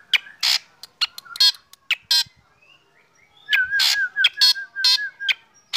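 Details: Caged black drongo sunned in the morning, stirring other birds to call: harsh broadband rasps and sharp flicked notes in quick irregular series, with a wavering whistle from another bird beneath the later bursts.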